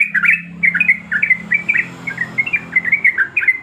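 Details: Female yellow-vented bulbul, in breeding condition, calling to attract the male: loud, quick chirping notes, each a slurred up-and-down twitter, about four a second, with a faint hum behind.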